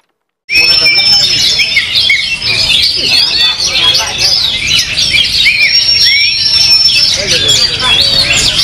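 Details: Oriental magpie-robin, a competition bird, singing in its first outing after moulting: a dense, unbroken stream of rapid high warbles, chirps and mimicked phrases, with long pure whistled notes held across several seconds.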